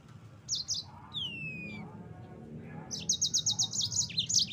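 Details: Yellow-fronted canary song used as a training recording for cagebirds: quiet start, then high twittering bursts, a long falling whistle, and a fast run of repeated sharp notes near the end over faint low hum.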